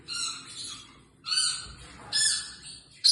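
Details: A pet female Pacific parrotlet named Tiku gives harsh, raspy squawks, four short bursts in about three seconds, each buzzy and high-pitched, with a quiet room behind.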